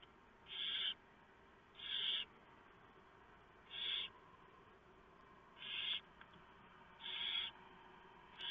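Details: Predawn at a barn owl nest, November 2015. The male arrives with an unusually large mouse for the owlets. Six hoarse hissing bursts come at irregular gaps of one to two seconds over a low electrical-sounding hum.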